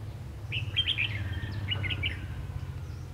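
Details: Red-whiskered bulbul decoy singing during trapping in Vietnam, 3 January 2019: two quick warbled phrases of bright chirpy notes, over a constant low engine-like drone.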